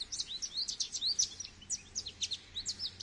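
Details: Continuous bright twittering from a goldfinch, high sharp chirps and slurred notes repeated rapidly throughout, over a faint low background hum.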